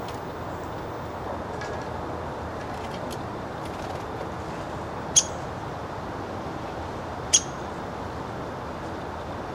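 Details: A female downy woodpecker gives two sharp, high pik notes about two seconds apart over a steady background hiss, calling at a nest box where she goes in to sleep.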